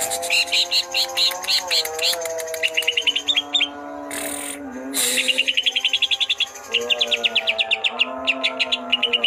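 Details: Twelve greater green leafbirds, described as chatty and in full song, give fast series of bright, clipped chirps in quick bursts. Sustained lower whistled tones and two loud noisy bursts sound in the background.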